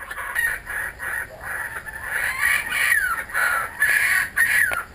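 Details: Returning kookaburras at a home in Australia in a raucous laughing bout, choppy cackling phrases building into louder rising hoots and falling slurred notes.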